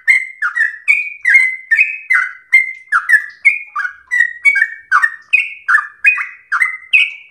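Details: Home-kept sooty-headed bulbul in full 'gacor ropel slow' song, recorded as tutor material for other caged birds. Bubbly whistled notes, each with a quick downward slur, follow one another steadily at roughly two and a half per second. The background is clean.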